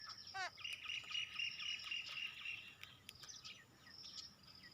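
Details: Several birds calling as a group on seeing a squirrel: a quick descending trill, then overlapping high thin chirps and a sustained shrill chattering, with sharp ticking notes toward the end.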